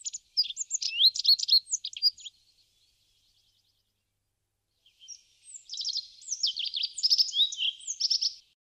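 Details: Rock bunting at a feeder in Crémenes, León, Spain, in March 2019: two bursts of rapid, high, twittering and trilled notes, each about two to three seconds long, separated by a quiet gap of around three seconds.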